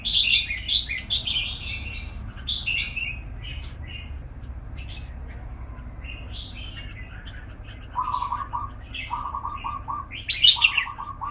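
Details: Caged red-whiskered bulbul kept for two years sings a run of quick chirpy warbled phrases, then lower buzzy rattling notes in three short bursts near the end, with a constant high-pitched whine and low background rumble.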